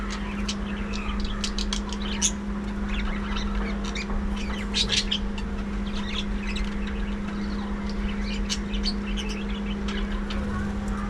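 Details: Aviary colony of breeding budgerigars chattering continuously, a dense mix of rapid scratchy chirps and brief squawks from many birds, over a steady electrical hum.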